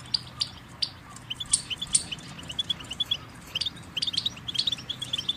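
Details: Goldfinch song: quick high twittering chirps and short sliding notes, bunched in bursts with brief pauses, over a steady low hum and faint background noise.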